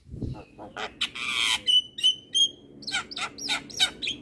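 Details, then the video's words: Javan myna singing 'gacor' on a master recording: a long harsh buzzing rasp, then clear level whistles, followed by a run of quick scratchy notes. "Para Penghobi Burung Jalak Wajib Putar Masteran Jalak Kebo Ini |Masteran Jalak gacor"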